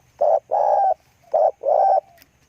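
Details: Close spotted dove cooing: two phrases, each a brief hollow coo leading into a longer, slightly rising rolled coo, with short pauses between. The background is quiet, with a faint low hum.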